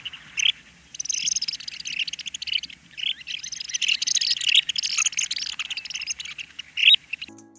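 Curlew Sandpiper: a busy stream of high, chirruping twitters and trills, several birds calling together in quick overlapping bursts for about seven seconds.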